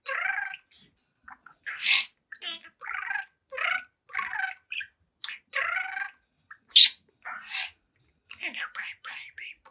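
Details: A talkative 7-month-old young budgerigar in front of a mirror chatters in quick bursts of scratchy, high warbling and squeaky mimicked speech, with sharp clicks and chirps between the phrases.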